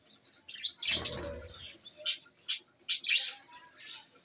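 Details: Budgerigars kept as pets in Larkana, Sindh: a noisy chirp burst with a low flutter, followed by short, sharp high chirps repeated about every half second.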